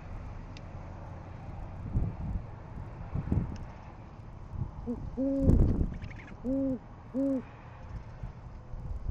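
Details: Male great horned owl delivering food to a nest with eggs in Oklahoma City, 6:40am, 10 February 2014, nest camera recording; after scuffling and rustling noise, three deep, even hoots sound about a second apart.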